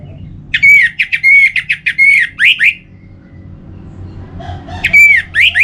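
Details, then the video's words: Orange-headed thrush song from Singaraja, northern Bali, used to encourage singing: rapid series of clear whistled notes around one pitch, then rich slurred phrases, a pause, and another slurred burst. "Pemancing Burung ANIS MERAH Agar Selalu Gacor"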